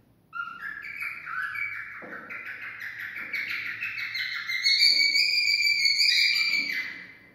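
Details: Cockatiel song meant to stimulate mating: a running string of clear whistled notes, some stepping up and down, others sliding, getting louder and higher toward the end before cutting off.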